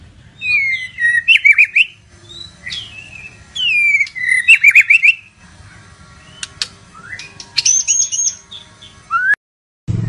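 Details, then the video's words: Medan-type white-rumped shama singing energetically: clear looping whistled phrases with sharp clicks and flourishes, some rising high, in bursts with brief gaps. "Mantab Kicau Murai Batu Medan Super Gacor Sekali"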